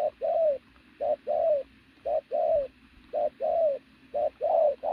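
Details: Pigeon with a loud coo: paired notes, a short burst then a longer, slightly falling mellow note, repeated about once per second in steady rhythm, with quiet background.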